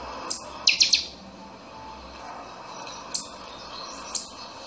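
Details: Pixoxó, the buffy-fronted seedeater, delivering a chanchão song: a high clipped note, then a burst of three fast, ringing down-slurred notes, followed after pauses by two isolated sharp high chips against soft background hiss.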